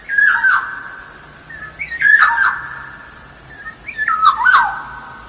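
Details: Black-naped oriole singing lively for use as a lure: three phrases about two seconds apart, each a fluted whistle broken by a coarse, buzzy squawk.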